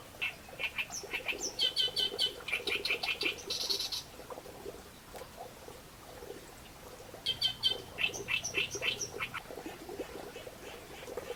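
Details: Reed warbler song in two loud bursts of rough, clicking, chattering notes with a scratchy buzz between them, then a quieter pause before another rapid grating phrase; a faint low hum lies underneath.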